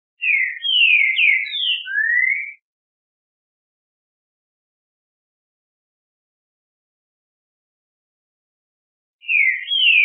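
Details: Green-winged saltator song, used by breeders across Brazil to excite a bird into singing: one loud whistled phrase of four downslurred notes and a long rising final note, then about seven seconds of silence before the next phrase begins.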